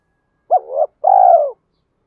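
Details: Spotted dove singing as a decoy to stir up other doves, one phrase of a sharp short coo sliding into a rising note, then a long trembling coo falling at the end.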